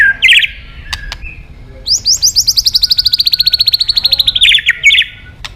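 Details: Singing white-rumped shama calling out to a rival: short whistled notes, then a fast, even trill of about twenty-five high repeated notes that slowly falls in pitch, closing with brief bright phrases.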